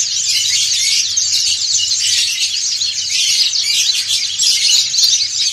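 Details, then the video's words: Dakun and montanus white-eyes sing ngriwik as a group. Busy, high-pitched twittering from many birds blends into one unbroken wall of scratchy chirps, with a faint low hum underneath. "PLECI DAKUN NGRIWIK BERJAMAAH"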